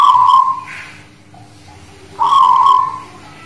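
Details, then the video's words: Zebra dove of the Guling Murio type, from the Muria mountains near Kudus, singing (manggung): two loud mid-pitched cooing phrases, each a brief clipped opening note running into a longer rolling, slightly falling coo, about two seconds apart. "Suara Perkutut Guling Murio Manggung"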